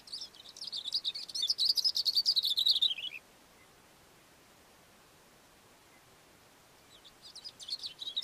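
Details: Cape grassbird perched on a rock on a mountain slope, delivering a fast jumbled string of high, scratchy twittering notes for about three seconds that drop slightly in pitch, then silence, then the next phrase starting near the end.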